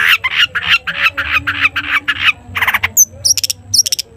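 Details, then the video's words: Long-tailed shrike song used to prompt other shrikes to sing; a run of about ten harsh raspy notes in steady rhythm, then quick sharp high whistled notes. "cendet gacor TOET TOET buat pancingan cendet agar bunyi"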